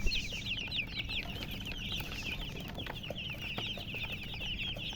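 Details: Young chickens chirping in chorus: clear, high peeps slurring downward, some louder individual calls standing out, with a knock at the start and low background hum.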